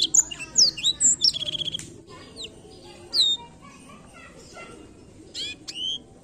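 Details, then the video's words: Blackthroat singing, recorded to encourage other birds to sing. It opens with high whistles followed by a fast buzzy trill, then scattered single chirps and a couple of rising notes. "canto do pássaro blackthoat para estimular o som do pássaro chilrear"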